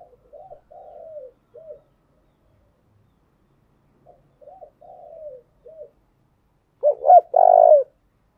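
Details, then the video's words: Spotted dove cooing as a decoy to stir and train birds: soft, quavering low coos in two quiet phrases, then a loud, emphatic burst of short coos and a long falling coo at the end. "tiếng cu gáy thúc bổi căng lửa và gáy goi bao sung, Tiếng cu gáy mồi chuẩn"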